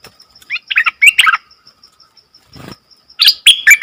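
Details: Nok dok taeng song that leaves wild birds confused; rapid bright chirps and twittering phrases, a brief low rustle midway, then loud sharp notes, with a faint steady high pulsing tone behind.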